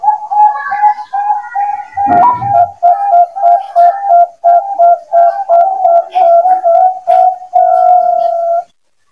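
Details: Bangkok-type zebra dove, loud lure recording for training birds just moved out of the communal aviary: a long series of soft, even cooing notes repeated roughly three times a second, with a brief thump near the start, ending abruptly.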